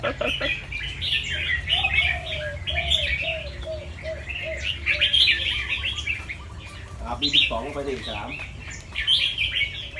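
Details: Caged fancy albino Red-whiskered bulbul, white with red eyes, a competition-line bird from a farm in Chonburi, Thailand, practising its doubled, trilled, quick-chopping song. Bright warbled phrases run throughout, with a descending series of low dove coos in the background.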